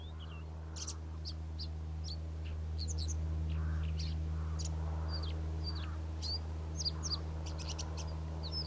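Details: Karoo scrub robin singing steadily: a quick run of short, high, sharp whistled notes and chirps, several each second, with a few dipping slurs. A constant low hum runs underneath.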